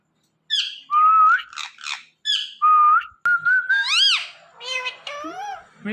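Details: Indian ringneck parakeet talking at night, a string of voice-like syllables: clipped notes, flat whistled tones, then louder arching harmonic phrases that rise and fall, in a quiet indoor setting.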